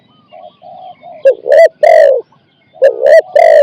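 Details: Spotted dove used as a decoy to lure and capture a wild dove, singing the 'khu ang' style in 4-5 syllables: low, hollow, harmonic coos in short bursts with brief pauses, rising into louder clustered notes.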